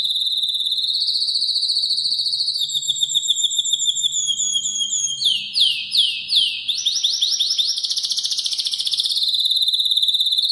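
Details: Spanish timbrado canary singing intensely and loudly: long high metallic trills and rolling tours, shifting from steady buzzy rolls to rapid descending sweeping notes around the middle, then back to a sustained bright trill; indoors.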